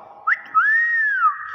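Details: Single long whistled note from a Nias hill myna. It starts with a short upward flick, swells into a smooth arc and then slides down, clear and loud against a quiet background.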